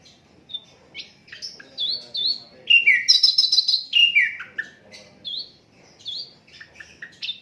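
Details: Unedited recording of an Asian brown flycatcher used to tutor other songbirds: brisk mixed phrases of chirps, slurred whistles and a loud buzzy cluster of high notes, each phrase short and varied.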